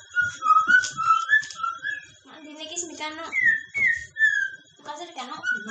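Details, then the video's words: A White-rumped Shama sings at night indoors, with clear sliding whistles and quick warbled phrases in short bursts, with low voices or speech-like sounds mixed in. "murai batu berkicau malam hari"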